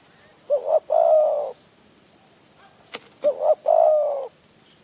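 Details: Wild spotted dove in Phrae, northern Thailand, drawn to a decoy. It gives two identical phrases, each with two quick throaty notes and a long, smooth, slightly falling coo, separated by a pause and a click.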